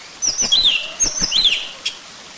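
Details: Orange-headed thrush song for luring a bird to sing, a short rich warbled phrase of slurred whistles and twitters, ending with a single sharp note.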